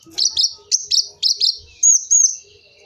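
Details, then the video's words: Kolibri wulung sunbird giving several buzzy, high chirps followed by two cleaner, slightly higher whistled notes; lure recording for this sunbird. "Suara burung kolibri wulung cocok buat suara pikatan kolibri"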